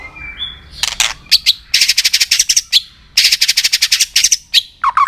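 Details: White-rumped shama clicking excitedly, a recording used to stimulate other shamas: a short whistle, then long dense bursts of harsh rapid clicks in two runs, ending with a warbled note.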